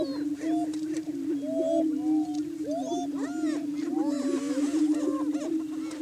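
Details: Greater Prairie Chickens in morning courtship display on a lek, or booming grounds, in Washington County, Kansas, establishing breeding territory: a steady low moaning drone beneath overlapping rising-and-falling whoops and short cackles from several birds.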